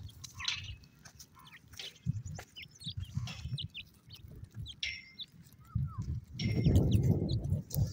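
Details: Partridge chicks giving short, high upslurred peeps in scattered bursts, some in quick pairs, over a steady low rumble and soft thumping; a louder burst of low noise near the end.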